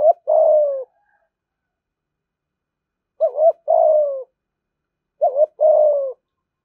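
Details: 'Thúc gù' cooing by a spotted dove, said to lure wild doves quickly to the fighting perch: three clear phrases about two and a half seconds apart, each a brisk wavering double note and then a mellow, slowly falling coo.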